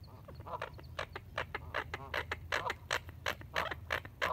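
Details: Rapid, ratcheting duck quacks, roughly two or three per second, on the Colorado River at Lake Havasu near Needles, California, at sunrise, 6:16 AM, April 12, 2021, captured with an iPhone 7 over low water rumble.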